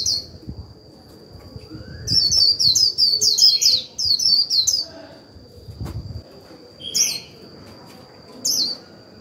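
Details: Japanese white-eye decoy in líu song, used to make other white-eyes sing at once: two dense runs of rapid high chattering notes, then single isolated chirps, over a steady high tone and quiet low background.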